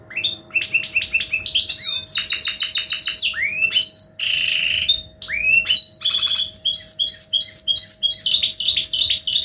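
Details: Hybrid goldfinch in full song: varied bursts of quick high trills, buzzy repeated sweeps, a sustained harsh mid-pitched buzz and clear whistles strung together without pause, a steady low hum in the background.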